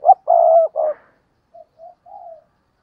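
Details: Spotted dove used as a decoy, cooing: a loud phrase of a short note, a long coo and a final note, followed by three faint, distant answering coos.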